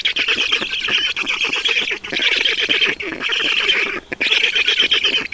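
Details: At an Estonian Black Stork nest on a June 2019 evening, 20:28, while water is delivered: harsh, fast-pulsed squealing in bursts of about a second, separated by short gaps.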